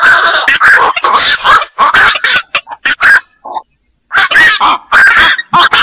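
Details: Black-crowned night heron: rough, barking squawks packed closely for three seconds, a short near-silent pause with one faint note, then the harsh chorus resumes.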